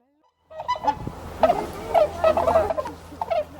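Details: Captive greater flamingos being moved into their winter enclosure: a burst of loud, nasal, goose-like honks, several birds calling in quick overlapping succession after a brief silence.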